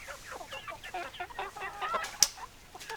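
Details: Chickens clucking close by: rapid series of quick, nasal rising-falling clucks from more than one hen, with a single sharp click partway through.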